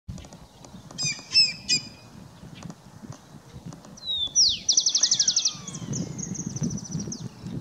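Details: Whistling heron (Syrigma sibilatrix), Argentina, giving high, thin whistled notes, then a fast quavering whistle sliding down at the end, over a low background rumble.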